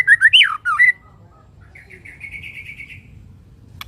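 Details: White-rumped shama singing with water sounds, a few loud warbled whistled phrases, then a softer rising series of quick repeated notes.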